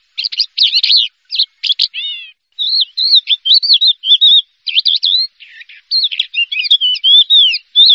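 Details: First-place contest Horsfield's bush lark delivering a lively medley of scratchy chirps, stacked descending notes and wavy whistles, with a short pause after two seconds before rapid varied phrases resume; only the bird is heard.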